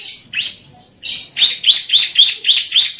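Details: Bar-winged prinia, a song meant to train caged birds: a quick downslurred note, a pause, then a rhythmic run of sharp high chips about four per second.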